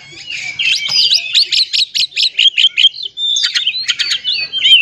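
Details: Song of an oriental magpie-robin, played to provoke other magpie-robins into singing: rapid, sharply repeated high chirps, about two or three per second, then a short pause and a burst of twisting whistles.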